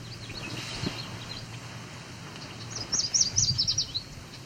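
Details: A male Yellow Warbler sings a bright, high phrase of quick, sweet whistled notes, about 1.5 seconds, its "sweet, sweet, sweeter than sweet" song, near Cape Chin North, Ontario, on July 17, 2019; fainter birds chirp beforehand over a low rumble.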